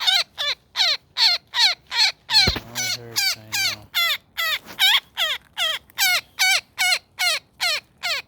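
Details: Woodpecker snagged in a net while being freed, repeating grating, falling squawks at a steady quick pace, with a thud and brief handling noise partway through.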